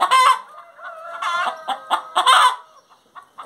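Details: Singing hen giving a drawn-out harmonic cackle, then softer clucks and a second loud, ringing cackle near the end.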